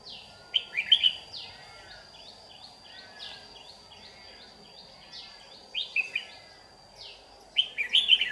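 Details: Red-whiskered bulbul, white-cheeked, yellow-gaped bird, recorded while being trapped on 8 July 2019. Short bright warbled phrases come in three bursts, each a quick run of rising-falling notes, with a steady thin high tone running throughout.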